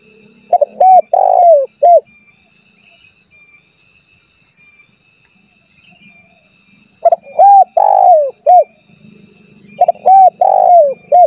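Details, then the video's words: Spotted dove calling persistently to rivals, meant to lure wild doves to respond: three repeated phrases of double note, coo, long falling coo and short coo, spaced several seconds apart, with a faint low hum between. "SUARA BURUNG TEKUKUR GACOR MEMANGGIL LAWAN AGAR BUNYI"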